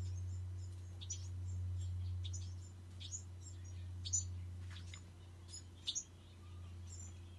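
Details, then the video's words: Bewick's wren fledglings chirping in quick, uneven bursts of high, thin notes, partly masked by a loud steady low-pitched hum throughout. "Bewick's wren fledglings"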